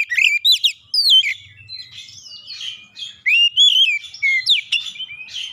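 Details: Oriental magpie-robin, stirred up by a rival and aggressively displaying its full repertoire: dense, continuous whistled song of twisting, rising and falling notes, chirps and trills, with brief gaps.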